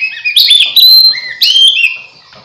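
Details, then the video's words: Oriental magpie-robin song used as a lure to draw other magpie-robins together: loud, clear whistled phrases with sliding notes and bright chirps, two bursts in quick succession. "suara pikat burung kacer"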